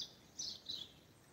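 A Common Starling gives two brief, high, scratchy notes about a third of a second apart, with faint background hiss.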